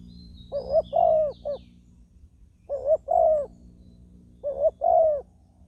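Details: Decoy Spotted dove on the ground, luring wild doves and still fighting after being trapped. Utters three low cooing phrases; the first has an extra clipped note at its end. The others are a short note then a drawn-out falling coo.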